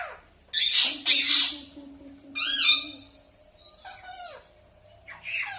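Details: Parrot uttering loud, grating squawks and a downward-sliding nasal call, along with a steady low hum in the background.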